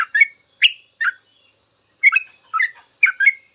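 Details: Sooty-headed bulbul singing ropel, a master recording for teaching trucukan. A few liquid slurred notes are followed by a pause of nearly a second, then three pairs of quick chirpy notes, with a clean background.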